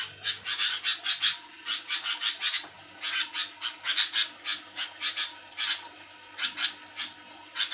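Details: Harsh nocturnal scolding from a sooty-headed bulbul, heard while people sleep: irregular groups of scratchy, rapid notes with short breaks between them, and a faint hum at the start.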